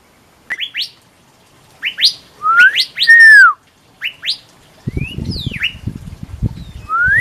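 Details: In the Tucson desert a male Pyrrhuloxia calls his mate. Quick paired chips lead into loud slurred whistles, one falling sweep, then more chips, a rustling clatter, and a final rising whistle.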